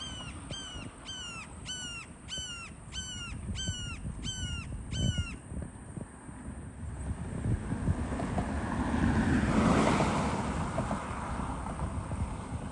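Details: Red-shouldered hawk recorded on 4 December 2021, giving a rapid series of about nine loud, down-slurred, ringing screams roughly every 0.6 seconds. The calls stop after five seconds and are followed by a rising, rushing background noise.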